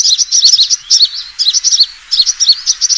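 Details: Short burst of a sunbird's fighting call used as a lure: clustered high squeaky chirps in three quick phrases, separated by brief gaps.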